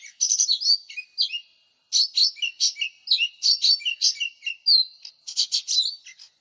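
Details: Lesser green leafbird in full, lively song used as a lure and tutor recording: fast high chattering notes mixed with short clear whistles and down-slurred phrases, a brief pause near two seconds, then continuous varied warbling. No other sounds.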